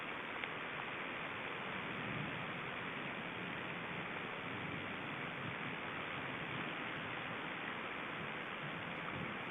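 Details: Dense, even rushing hiss like running water or static fills the recording, with no animal sounds.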